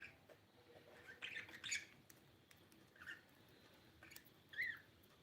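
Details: Blue budgerigar giving a few short, scratchy squawks and chirps in three brief bursts spread across the recording, with quiet hiss between them.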